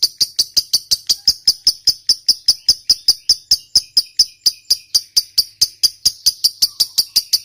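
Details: Fighter lovebird in a long ngekek, a bout used to prompt silent lovebirds to sing: harsh, clicky notes repeated steadily about four per second throughout, each a sharp high burst.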